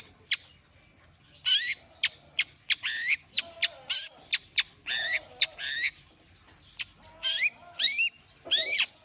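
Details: Warming-up song of a long-tailed shrike (cendet): clicks and sharp ticks mixed with loud, harsh, downslurred rasping phrases, some with wavering tones, given in uneven spurts.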